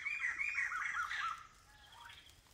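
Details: Blyth's paradise flycatcher, a migrant in community forest near Kulen National Park, Cambodia: loud rasping chatter for about a second and a half, then quiet with a faint whistle.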